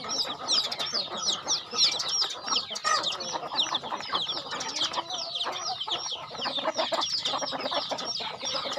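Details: Chickens at a farm during feeding, producing an unbroken wash of high, falling peeps from many birds, steady in loudness and jumbled in rhythm, with soft clicks and rustles below.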